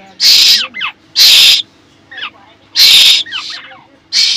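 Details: A hungry Asian koel chick, hatched in a pigeon cage and begging for food, gives harsh, hissing screeches about once every second or so, with softer short squeaky notes in between.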